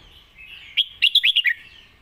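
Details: Red-whiskered bulbul singing the song style known in Thai as 'lak wai', a master model song: one short bright phrase of about five quick, rich whistled notes bouncing up and down, after a faint wavering warble.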